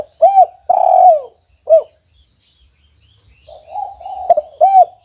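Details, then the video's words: Spotted dove singing eagerly in a cage in the 'kuk 1' style: a short arched coo and a long falling coo, then another arched note, a quiet gap, and a softer drawn-out coo ending with a sharp coo. "Special Suara Tekukur Kuk 1 Gacor Disangkar"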